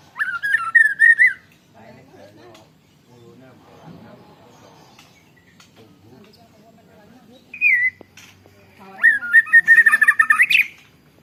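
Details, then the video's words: Phone recording of a white-rumped shama with canary-imitation song: a quick rolling trill, a long quieter gap with faint murmur, a brief whistle, then a rapid rattling canary-like roll. "Burung murai batu isian kenari full ngeroll panjang"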